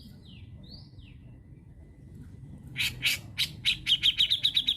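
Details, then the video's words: Indonesian lure recording of a cucak jenggot (grey-cheeked bulbul): faint rising and falling whistled slurs open the clip, then a loud accelerating series of harsh, rasping chatter notes. "PANCINGAN HEBAT BURUNG MASTERAN CUCAKJENGGOT"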